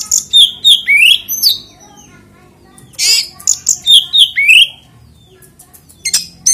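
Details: Song of the kacer, or oriental magpie-robin, used to trigger other magpie-robins to sing: two quick runs of chirps and upslurred whistles, a harsh buzzy note in between, then a final short burst.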